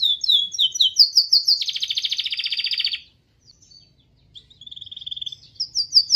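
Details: Canary singing, a recording used to provoke other canaries to answer: quick high chirped notes, then a dense buzzy roll lasting over a second, a short pause, and a faster pulsed trill followed by bright chirps.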